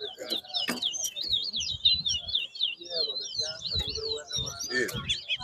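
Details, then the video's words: Towa towa singing in a bird whistling competition at Bath Settlement, Guyana, 2022: a long, fast, continuous warbling of high twisting whistled notes, rising and falling without pause, with faint low background murmurs and bumps. "TOWA TOWA BIRD WHISTLING COMPETITION"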